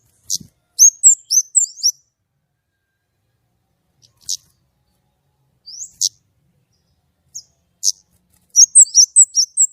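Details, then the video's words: White-rumped shama in lively 'gacor nembak' song with a clear tone: bursts of rapid high twisting chirps, scattered single sharp clicks and slurred notes through long quiet gaps, ending in another fast flurry. "kemade gacor nembak!!! suara jernih"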